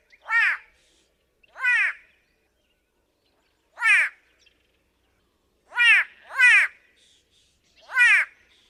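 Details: White-bellied Go-away-bird yelping: six short, harsh, downward-slurred nasal barks spaced irregularly over about eight seconds, two given in quick succession near the end.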